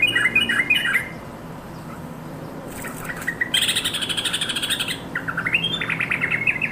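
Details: Companion-calling yellow-vented bulbul: a short chirpy phrase, a pause, then a noisy fluttering burst followed by a cheerful, warbling series of rising and falling notes.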